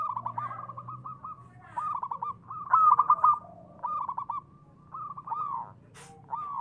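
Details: Local zebra dove, a lure to rouse other doves: clusters of quick soft coos in short bursts, one loud rolling phrase near the middle, then more cooing groups, with a brief sharp click late on.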